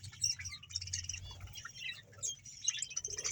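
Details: Budgerigars from a colony of about a hundred pairs in Bahawalpur, quieter scattered sharp chirps and short squawks, with a low background hum.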